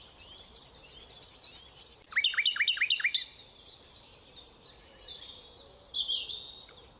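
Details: Rufous nightingale song: a quick series of high repeated notes, then about six loud, lower, downslurred notes in a steady run, followed by quieter scratchy warbling.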